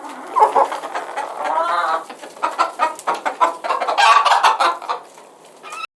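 A hen clucks in a quick, uneven run of short, throaty notes, some drawn out into a rising bawk near the end.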